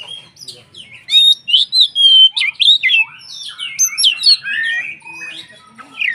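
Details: White-rumped shama (kacer) singing to provoke other shamas: continuous, varied warbling of whistled slurs and scratchy notes, rising and falling rapidly, loud in the middle and softer toward the end.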